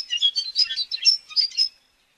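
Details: Rapid, bubbling common starling twitter: a quick run of squeaky, warbled high notes, each one short, ending abruptly in silence.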